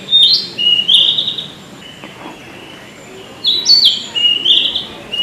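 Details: Male Narcissus flycatcher recorded in June 2019 in Tokyo, Japan, singing two matching phrases of bright, high, whistled notes, each about a second and a half long, separated by a short pause.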